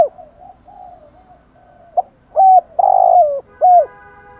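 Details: Soft murmured cooing from a spotted dove builds into loud notes: a short coo, a long vibrating rolled coo falling away, then a final hooked coo; 'thúc gù' and 'gáy gọi' styles meant for stimulating decoy birds.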